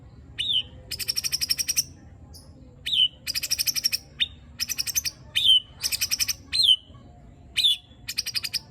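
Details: White-rumped shama (murai batu) delivering tembakan and besetan, rough-fill song meant to provoke rival shamas: a sharp downslurred whistle then a fast buzzy rattling trill, repeated about every second with short gaps.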